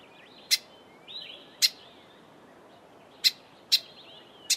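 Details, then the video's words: Grey sunbird calling with five loud, abrupt clicks spaced about a second apart, separated by faint, high twittering notes over a quiet background. "Grey sunbird call"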